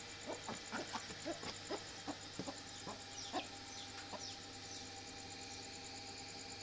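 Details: Golden Heavy Buff chicken clucking in a quick, uneven burst over the first three seconds, then quieter, with faint high chirps and a steady pulsing high tone behind.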